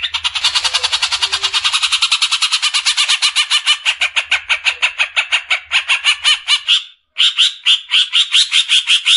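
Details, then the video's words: Cucak ijo, the Greater green leafbird, in rapid 'besetan' song used for training caged birds: a dense, unbroken chattering rattle of fast pulsed notes lasting about seven seconds, a brief gap, then the rattle resumes. "SUARA JERNIH,Besetan suara burung CUCAK IJO."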